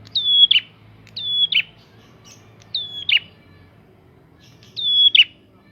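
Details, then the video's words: Prinia song meant to provoke other prinias: four loud phrases of a high flat whistle closing with a rough buzzy flourish, repeated roughly every 1.5 seconds, with a soft low hum behind. "Prenjak gacor!!! Pancingan untuk burung prenjak bahan"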